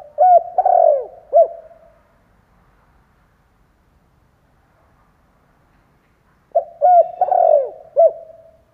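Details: Spotted dove decoy bird cooing to lure wild doves: two bursts of low, rhythmic cooing notes, each a quick run of short coos ending in a longer drawn note, separated by about four seconds of quiet.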